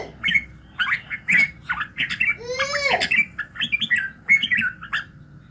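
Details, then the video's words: Red-whiskered bulbul in morning voice-training song: lively chattering, warbled notes throughout, with a drawn-out squeaky, sliding sound in the middle. "luyện giọng Chào mào buổi sáng kích lửa hiệu quả"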